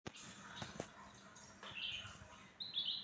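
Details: Black-headed bulbul (cucak ranting) singing vigorously after a feed of crickets and a spell of sunbathing: a few bright, slurred whistled notes near the end, after scattered clicks and knocks against a steady low hum.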